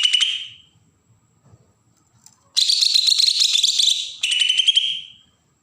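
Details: Agitated, provoking song of a Bornean green leafbird from Berau, Kalimantan: a brief harsh burst, a pause with faint clicks, then two long, buzzy phrases of rapid high notes, the last dropping lower.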